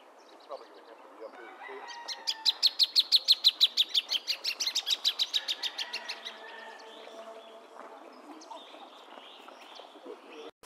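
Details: Plain thornbird singing a fast, regular chattering run of some twenty-five clipped notes lasting about four seconds, louder at first then gradually softening; scattered high chirps and faint background calls around it.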